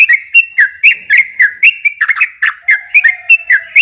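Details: [2, 'Rapid, non-stop yellow-vented bulbul song meant as a lure for young birds, brisk downslurred whistles and chirps tumbling several per second, with a quiet low hum near the end.']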